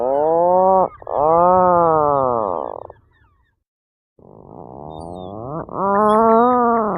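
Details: Tufted puffin producing long, mournful, groaning calls. A drawn moan with a brief break is followed by a silence of about a second, then another rising groan that swells and ends in a sustained wail.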